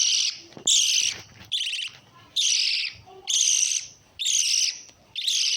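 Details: Lovebird calls: harsh, buzzy high chattering bursts, each under a second long, repeated roughly once a second with short silent gaps.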